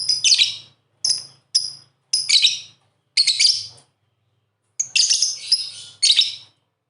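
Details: Pair of pet lovebirds playing together, giving bursts of harsh, buzzy high chirps in short clusters, some with brief thin whistled notes, separated by short silences, with a faint low hum underneath.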